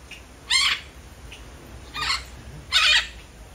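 Red-fronted macaw giving three harsh, raspy squawks about a second apart, loud and broad-toned, over a low background hum.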